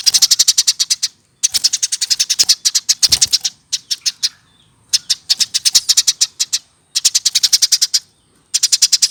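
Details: Eurasian tree sparrow kept in a cage, reared by hand from a nestling and now over a year old, delivering repeated bursts of fast, high, rattling chirps separated by short pauses.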